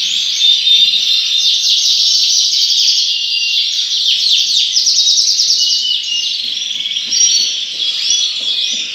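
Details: Yorkshire canary singing in a breeding house: a continuous high, rapid warble of trills and rolling, twittering phrases, with brief whistled notes and no pauses.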